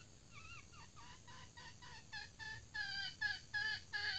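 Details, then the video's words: Female red junglefowl trained as a decoy hen (pikat betina), newly trained and said to have passed well: a series of about ten short, tonal clucking notes, roughly three per second, some bending up then down, growing louder toward the end over a low background hum. "Ayam Hutan Pikat Betina"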